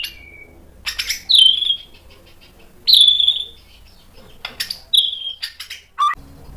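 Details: White-rumped shama singing sharp fill-ins to lure other birds into answering: three loud descending whistles about every two seconds, separated by short chips, over faint background hum.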